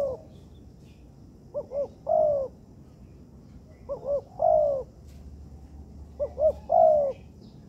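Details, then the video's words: Training material of a tekukur (spotted dove) in an artificial yard: three phrases, each of two short lilting notes leading into a longer falling coo, spaced about two seconds apart. "Melatih Bahan Ajaran Tekukur di Laman Buatan"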